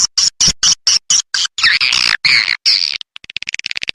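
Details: Edible-nest swiftlet lure call of the 'A Leyung' style, played to attract swiftlets: a rapid run of harsh, buzzy chirps about eight per second, then a warbling twitter, ending in a fast series of quieter clicks.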